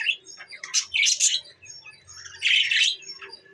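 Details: Pet budgies, December 14, 2023: bright, high chirps come in two loud bursts of squeaky, warbling notes separated by quieter twitters, with a low background hum.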